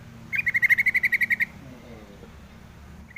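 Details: Yellow-vented bulbul giving one fast rattling series of about eleven sharp, evenly spaced notes at a steady mid pitch, lasting about a second, over a low steady background hum.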